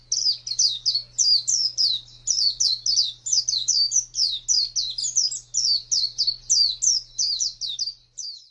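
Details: Ngalas-style wild song of the Oriental white-eye: rapid, high-pitched twittering notes in short bursts of three to four, repeated almost without pause for over eight seconds, over a faint low hum.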